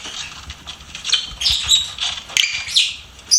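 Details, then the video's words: Pet lovebird chirping: scattered shrill, high squeaky notes in short bursts, some rising or falling quickly, separated by quieter gaps with faint background rustle. "LOVEBIRD SINGING & CHIRPING SOUNDS"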